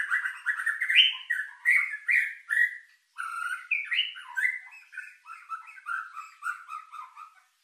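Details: White-rumped shama lure song with rich fill, meant to stir emotion and breeding drive: a fast, varied run of warbled, slurred whistles and chattering phrases, rising and falling in quick bursts with a brief pause midway, nothing else audible.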